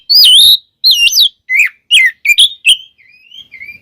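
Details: Oriental magpie-robin song played as a lure to make birds sing: loud rising and falling whistles, then quick chopped notes and softer trailing warbles.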